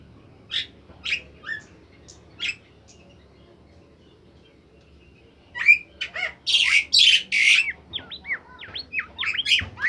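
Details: Bimoli bird singing sweetly and actively as a training recording: scattered soft chips at first, then loud harsh buzzy bursts followed by a string of rapid V-shaped whistled notes.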